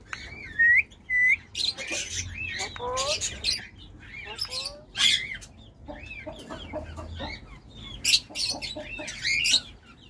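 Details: Alexandrine parakeet breeder pair, a hand-tame talking female and a wild male, calling in captivity. Loud, harsh screeches rise and fall in short bursts every second or two, mixed with lower, rasping, stepped notes and brief chatter.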